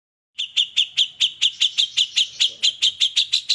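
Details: Competition white-rumped shama, kept for song contests, delivering 'isian' filler material: a fast string of about fifteen identical sharp chipping notes, roughly four per second, steady and bright.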